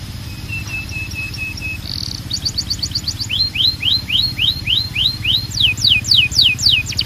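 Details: Belgian canary song, said to call other canaries into singing: soft repeated short whistles, a brief buzz, then a quickening series of rising-then-falling whistled notes and steep downward sweeps, several per second.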